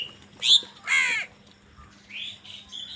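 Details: Two short, rough crow caws while fighting for food, followed by thin, rising whistled notes from another bird.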